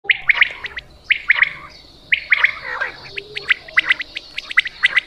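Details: Quail call from Punjab used for hunting: sharp three-note chirped phrases, bright and clipped, repeated about once a second, with a few extra chirps toward the end.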